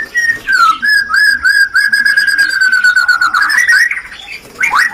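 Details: White-rumped shama 'rencetan' song played to spark breeding desire: a long, fast trill of rapidly repeated whistled notes holding steady in pitch, rising at the end, then a brief upward sweep.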